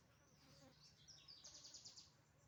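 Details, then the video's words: A firefinch in Kenya gives thin, high notes, then a quick burst of about six short, sharp peeps in under a second, over a low steady hum. "fire finch birds"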